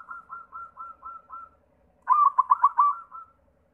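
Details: A white zebra dove, used as a lure to get other doves singing, gives six soft, evenly spaced cooing notes, a brief pause, then a loud run of about six quick pulsed coos fading into a soft trill.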